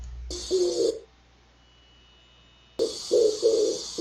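A pigeon gives low, soft, hollow coos in a short burst, then a pause, then a quicker run of four or five notes, over a steady hiss.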